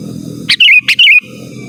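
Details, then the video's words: Rival-summoning song of a sooty-headed bulbul, used for luring and tutoring; two fast, liquid, slightly descending warbled phrases with click onsets, over continuous low rumble. "Suara Burung KUTILANG GACOR Asli Tanpa ISIAN Ampun Untuk Suara Panggilan dan Masteran"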